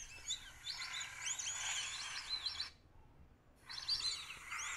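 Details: A chorus of White-faced Whistling-Ducks at Sonso Lagoon, a tropical dry-forest wetland near Buga, Colombia, giving high, clear, overlapping whistles in quick sliding notes, broken by a brief silent gap before the whistling resumes.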